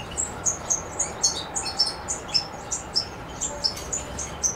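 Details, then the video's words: European goldfinch recorded in Macedonia on 7 July 2011, giving a steady chain of very high, sharp chirps, about two per second, fairly even in pitch with slight rises and falls. "Suki Makedonski-Carduelis carduelis-Macedonia 07.07.2011"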